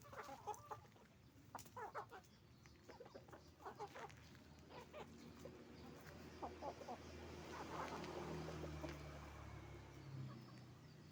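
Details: Chicken farm with roosters and hens making noise: many short clucks and squawks repeated rapidly, several birds overlapping, with a constant low drone of farm machinery underneath.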